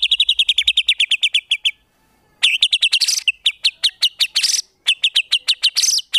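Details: Rapid 'tembakan' fill phrases of white-rumped shama song for training competition birds: quick stuttering series of sharp notes, a short gap, then dense rattling runs with higher squeaky accents mixed in.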